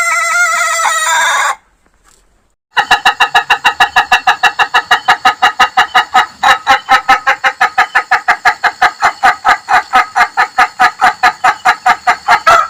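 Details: Ayam Ketawa rooster crow, the laughing chicken breed. A harmonic opening call and a brief silence give way to a long rhythmic string of fast, staccato cackling notes lasting about ten seconds.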